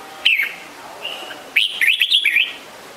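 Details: Red-whiskered bulbul with a clear slurred note and a brief soft whistle, followed by a lively jumble of liquid, rising and falling chirps lasting about a second.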